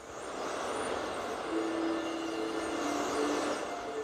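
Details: Steady broadband rumble of traffic or a train, with faint sustained whining tones and no animal voice.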